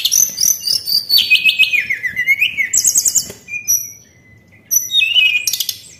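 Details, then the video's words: White-browed shortwing (tledekan) lure song: fast high chattering phrase sliding downward, then thin sustained whistles and a final burst of sharp notes after a pause. "PANCINGAN AMPUH BURUNG TLEDEKAN"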